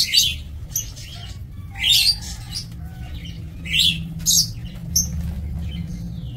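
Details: Lovebirds kept for breeding in an aviary, recorded on 2 October 2024, give high, harsh chirps and squeaky squawks in irregular bursts about every second, over a steady low hum.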